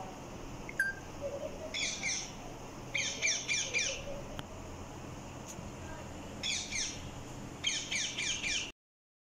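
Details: Parrot, described as talking, giving harsh, rapid, rattling squawks in four separate bursts of quick repeated notes, with quiet pauses between bursts.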